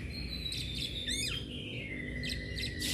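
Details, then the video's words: Agitated Oriental magpie-robin with tail spread, singing in 'ngeplong' style: a high whistle sliding down into a long level note, with brief twittering trills, partly masked by steady low background noise. "KACER gacor NGEPLONG emosi DAN BUKA EKOR"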